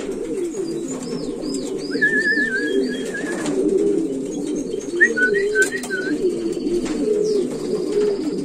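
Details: Domestic pigeon of the Buchón valenciano antiguo breed, selected for flight and display, giving continuous deep burbling coos while small birds add brief high chirps and twittering phrases in the background.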